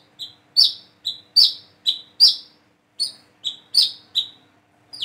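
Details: A young Plain-throated sunbird alternates short level whistles with louder chips that fall in pitch. The notes come in clean, well-separated pairs, with a brief gap around three seconds.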